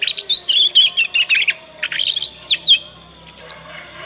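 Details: Juvenile Yorkshire canary practising its ngriwik song, used as a lure so other canaries learn quickly and answer: dense bright twittering trills with quick rising and falling whistled slurs, a brief pause, then a few thin high notes.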